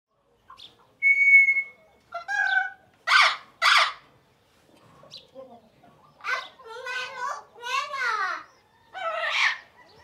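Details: Parrot calling indoors, a bright steady whistle followed by short harsh squawks and nasal, wavering chattering notes with brief pauses between bursts.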